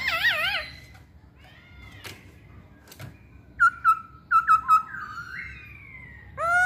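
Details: Masked laughingthrush: a warbling wavering whistle, a pause, then a burst of short loud clipped whistles and a rising slurred note, with a faint background hum.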